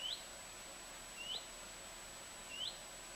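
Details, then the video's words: A common redstart calls from a bush in a southern Swedish garden, 23 August 2014: three clean rising whistles, each brief and sliding upward, spaced roughly every 1.2 seconds in quiet surroundings. "Redstart chirping in a bush"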